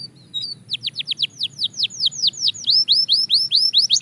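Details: Belgian canary in singing practice starts softly, then delivers a fast regular series of bright downward-slurred whistles growing louder, roughly four to five notes per second.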